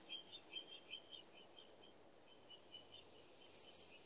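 Faint, quick chirps repeat for the first three seconds, then a loud, shrill, high whistle closes the clip, like a kingfisher's piercing call.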